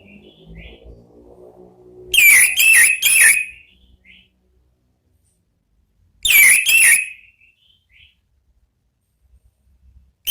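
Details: Orange-headed thrush, ngeplong-style song for drawing out other birds: two loud clusters of sharp, clipped whistled notes about four seconds apart, with soft low rumbling and a few faint distant whistles between.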